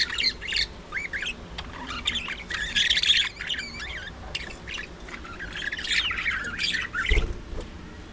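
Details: Budgerigars chattering at early morning feeding time, with wavering, twisting warbled notes and harsh squawks running almost continuously, rising and falling in pitch.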